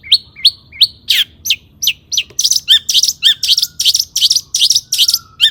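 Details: Long-tailed shrike singing rich imitated material to stimulate other shrikes: it opens with evenly spaced rising whistled chirps, then shifts to dense, rapid buzzy high notes and a few thin drawn-out whistles.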